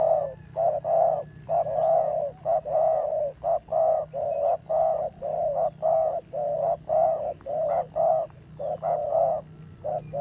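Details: Spotted dove kept as a decoy bird, cooing with a fierce-sounding voice: low, hollow coos in a long run of short and drawn-out notes, about one per second, over a steady low hum.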